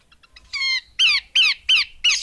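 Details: Female Horsfield's babbler giving a series of five harsh, squawking notes, each sliding downward, spaced about a third of a second apart. A few soft clicks come before them.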